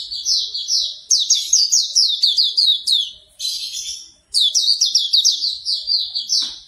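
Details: Hume's white-eye singing for morning therapy, to make a bird start singing fast: long streams of high, rapid, downward-slurred twittering notes broken by two short pauses, steady and lively throughout.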